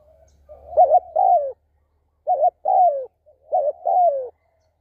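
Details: Captive spotted dove used as a decoy, giving three cooing phrases about a second apart. Each phrase is a short, clipped double note, then a longer mellow coo that falls in pitch. The background is quiet.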